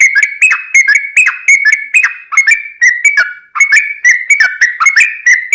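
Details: Energetic yellow-vented bulbul song used as a lure for other birds: rippling run of clicky, slurred whistles, rising and falling notes, with a brief dip near the middle before resuming.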